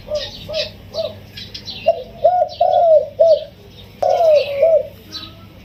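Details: A wild spotted dove kept in a cage for sixteen days sings a full yon kuk diao crow. Soft, rounded low coos come in short bursts and bent, gliding notes, with brief pauses. Faint twittering is heard in the background.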